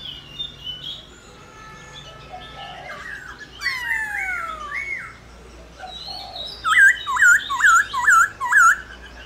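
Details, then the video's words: Laughingthrush singing to spur other laughingthrushes into song, with varied gliding whistles and descending sweeps, ending in a quick series of five bright looping notes. "Khướu Hót RÉO Kích Khướu Bạn Căng Lửa Sung Mãn Hót Nhanh"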